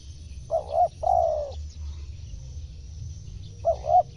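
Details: Spotted dove coos for luring wild birds: one full phrase of two short hoots plus a long falling note, then after a pause the opening pair of hoots of the next phrase, with steady low hum throughout.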